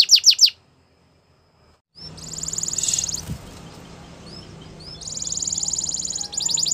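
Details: Yellow canary singing in the morning: a few quick high trilled notes, a pause of near silence, then bright buzzy trills with soft chirps over a steady background hiss.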